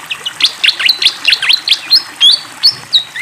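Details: Lively fantail flycatcher song: a rapid series of high, bouncy whistled notes, several sweeping down and then up, delivered in quick succession. Background is quiet apart from a faint rush of water.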